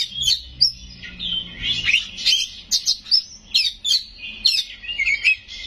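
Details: Caged white-rumped shama in full song packed with mimicry fill-ins: fast high whistled phrases, sweeps and chattering chips, with a faint low hum behind.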